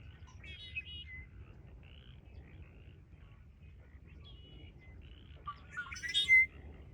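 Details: Red-winged blackbird recorded 20 February 2025 at Ridgefield National Wildlife Refuge. Soft, scattered chirps and thin whistles lead to a louder, buzzy, rising phrase near the end, with a constant low background hum.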